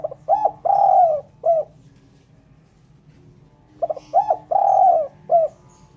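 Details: A spotted dove repeats its cooing phrase twice in a clean lure recording for bird catching. Each phrase has a short stutter, a rising note, a long drawn coo and a brief final coo, with a quiet gap between the phrases.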